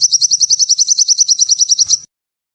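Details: Sogon, a sunbird, delivering a brisk two-second trill of about eighteen high, sharp pulses at an even fast pace, then silence.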